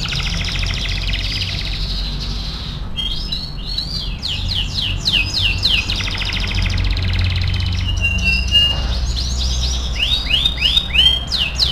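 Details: Energetic canary song used as training material for other birds. A long buzzy rattle gives way to rapid series of sharp downward-sliding whistles, trills and a held clear note, then more quick sweeping notes, with a constant low hum beneath.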